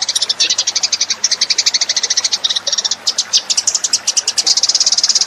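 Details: Eurasian tree sparrows in a lure recording: unbroken, busy chattering of high, bright chirps, several per second, uneven in loudness throughout, with a faint low hum underneath.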